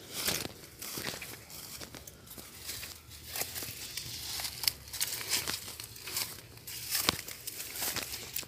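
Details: Crinkling and rustling noises with scattered sharp clicks and taps throughout, and no animal voice.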